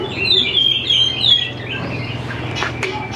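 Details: Greater green leafbird song used to prompt young birds to sing: a brief bright whistled warble at the start, fading into background noise with a low hum and a few scattered clicks.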